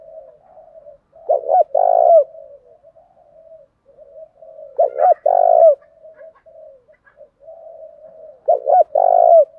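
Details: Decoy spotted dove cooing to stir a rival into fighting: three loud phrases, each a few short quick notes then a longer rolling coo, spaced three to four seconds apart, with a soft low murmuring coo running between them.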